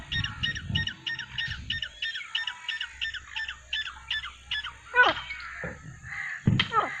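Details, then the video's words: Nine francolins (teetar) calling together, flying and calling naturally: a fast series of harsh, stacked, repeated notes about four per second, then scattered louder squawky calls and low rumbling background. "9 Francolin Calling Sound | Non Stop Teetar Boli"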